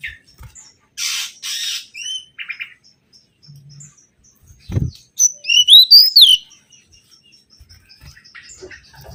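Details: Mangrove whistler song played as a lure: scattered faint chirps and a thud, then a quick ringing flourish of whistled notes sweeping steeply up and down before fading back to quiet.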